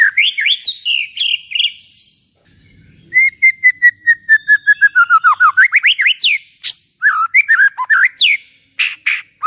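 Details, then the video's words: White-rumped shama song played in the evening to provoke singing: rapid varied whistles, then a long run of evenly repeated descending whistled notes, ending in a fast jumble of sharp chirps and whistles. "PANCINGAN MURAI BATU AGAR EMOSI DAN BUNYI"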